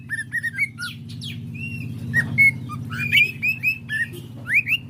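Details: Caged greater green leafbird singing energetically: quick repeated chips, short clear whistles and slurred rising notes in a varied chattering stream, steady low hum behind.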